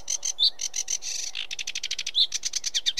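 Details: Sedge warbler song of rapid grating chatter broken by a couple of sweeter whistled notes, the rhythm speeding up into a fast rattle near the end.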